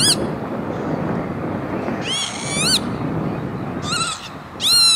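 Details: On an industrial estate at Veenendaal, Netherlands, 28 May 2013, a lapwing utters a long wheezy upswept call followed by two shorter harsh calls, amid persistent low-frequency hum.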